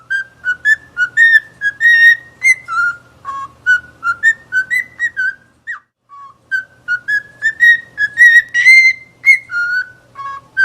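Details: Cockatiel song: a long run of short clear whistled notes that hop between steady, rising and falling pitches, about two notes a second, with a brief pause midway and a faint low hum underneath.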